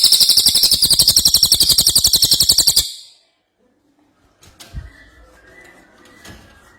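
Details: A lively ashy tailorbird delivers an almost three-second run of shrill, evenly repeated high notes, roughly four each second, followed by silence and faint distant chirps.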